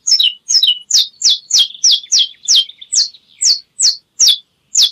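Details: Domestic canary (Serinus canaria) song: a steady tour of bright, high notes, each dropping sharply, repeated about twice a second, with no other sounds.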